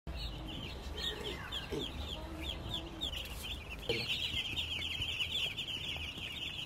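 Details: Broiler chicks raised on a poultry farm, a crowd of them peeping continuously in quick, high, chirping notes that overlap into a steady chorus over a low background hum.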